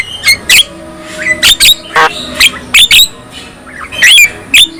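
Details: Black-winged myna singing to stir other black-winged mynas into song: loud harsh squawks alternating with clear whistled notes, each short and separated by brief gaps, in a small room.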